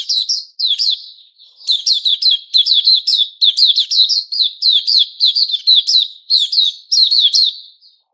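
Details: During its season of new feathers, a captive white-crowned shama recorded 06-09-2021 pours out quick repeated whistled phrases studded with clicks and upslurs, nearly without a break.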